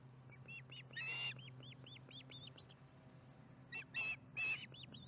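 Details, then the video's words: Chattering osprey at its nest during the evening meal, Charlo, 15 July 2019, 4:30pm MDT. Quick strings of rising-falling whistled chirps alternate with loud, rasping squeals, and a constant low electrical hum runs underneath. "Charlotte chats through dinner - Charlo osprey nest"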